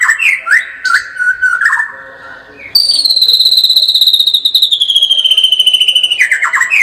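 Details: White-rumped shama, locally murai batu, singing gacor with a tembakan: tumbling warbled whistles, a brief pause, then a loud, high, buzzy trill held steady for more than three seconds, slowly sliding lower at the end.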